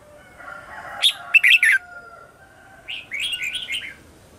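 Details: Red-whiskered bulbul morning song used to call wild birds: a crisp burst of warbled notes followed by a softer, bubbling run of chirps, over a faint thin whistle.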